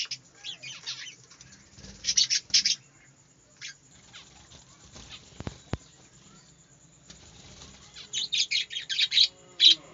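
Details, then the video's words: Small aviary of budgerigars: loud, high, raspy chirps in short bunched bursts, then a long quiet middle with a few faint clicks, then renewed rapid chattering near the close. "বাজরিগার পাখির ডাক | বাজরিগা পাখির ডাকাডাকি ~ Birds sounds and birds singing in a small birds aviary"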